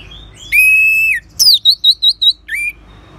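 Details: Orange-headed thrush song for triggering song in other birds: one long, steady whistle, a sharp high note, then a quick series of short looping whistles and a final rising note.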